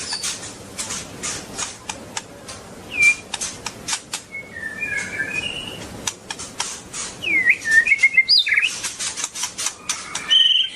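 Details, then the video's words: Long-tailed White-rumped Shama with scattered whistled notes and slurred phrases among many sharp clicks and tapping sounds, the whistles growing more lively toward the end. "Kicau murai batu ekor panjang super"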